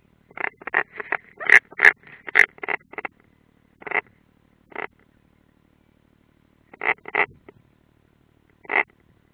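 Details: European roller recorded by a nest camera in the Ādaži training area, Latvia, 30 June 2016: a quick cluster of about a dozen rough, grating notes, then scattered single and paired rasps after long pauses.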